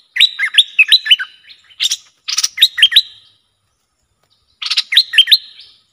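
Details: Bulbul, agitated against rival wild birds, sings looping, swooping whistled notes in quick succession, broken by buzzy rasps, in three phrases with a final phrase after a short pause.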